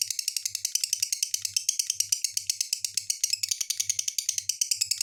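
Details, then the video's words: Rapid, rattling lovebird chatter of harsh, high clicks and squeaks packed tightly together, steady throughout with a slight lift in pitch partway. Soft low thumps recur underneath. "SUARA BURUNG LOVE BIRD"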